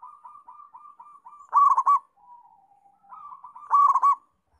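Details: Local zebra dove (perkutut) singing actively: a run of soft, quick cooing notes builds into a loud, clipped, bubbling phrase, then the whole sequence repeats about two seconds later against a quiet background with no other sounds.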